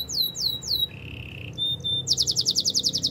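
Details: Canary singing in the wild: three swooping falling whistles, a low steady buzz, two short level whistles, then a rapid pulsing high trill.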